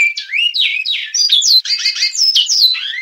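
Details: Great-billed seed-finch in Goiano Clássico song, Batuque line, delivering a continuous, fast phrase of sliding whistled notes that swoop up and down, rich and melodious, in a clean recording without background noise.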